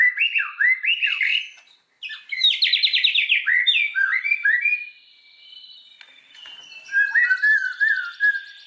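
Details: White-rumped shama singing as a lure for other shamas: looping whistles, a quick rattling series, warbled slurs, a quiet gap, then lower fluted phrases.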